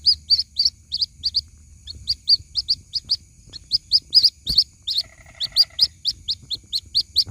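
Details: Young white-breasted waterhen calling for its mother, lure recording: quick high peeping notes in uneven bursts, briefly joined near the end by a fainter, lower pulsed buzzing chatter.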